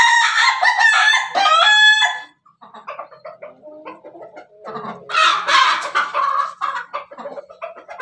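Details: Pelung chicken giving a laughing-style crow: a loud, harmonic drawn-out note for about two seconds, then a brief pause and a long run of quick, choppy staccato syllables that rise and fall in loudness.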